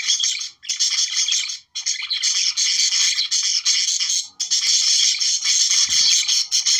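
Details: Budgerigars, Australian parakeets, singing to stimulate breeding: dense, buzzy chattering warble in long continuous bursts, with short silent gaps near one and two seconds.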